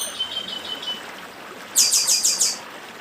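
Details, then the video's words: Dedim-style song of a northeastern chestnut-bellied seed finch: a thin level whistle, then a fast run of sharp repeated high notes, set against continuous stream noise. "Papa Arroz Dedim com Som de Riacho (Papa arroz do Nordeste)"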